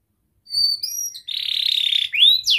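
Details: Short phrase from a young canary's training song: a few pure whistled notes rising in pitch, then a long buzzy rolling trill, ending in two swooping whistles.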